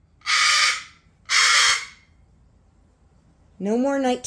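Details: A pet cockatoo throwing a tantrum at night, refusing to go to bed: two long, harsh, broadband screeches about a second apart, then a rising, nasal, harmonic squawk, with a person's voice just before.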